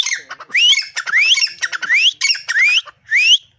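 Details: Black francolin singing from a mango tree in a garden, giving loud, harsh, grating phrases, each ending in a rising squawky note, repeated in quick succession about every half second.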